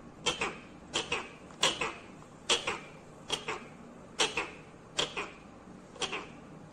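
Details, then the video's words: Pet talking parrot giving harsh, sharp squawks, eight short bursts repeated about every 0.8 seconds, each a quick rasping note, over a quiet indoor background. "बोलने वाला तोता मिट्ठू talking Parrot mummy papa"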